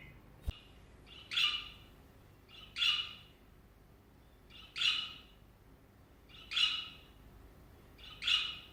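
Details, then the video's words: Pet budgerigar perched on a hand repeats harsh, squawky chirps about every one and a half to two seconds, six calls in all, after a brief click at the start. "Suara burung parkit saat menclok di tangan"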